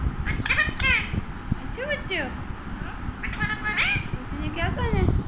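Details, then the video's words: An Alexandrine parakeet, called an Indian parrot, talking. It gives speech-like harmonic phrases mixed with sharp, sliding squawks, repeated in two bursts over a low rumbling background. "Beautiful Indian Parrot Talking | Alexander Parrot"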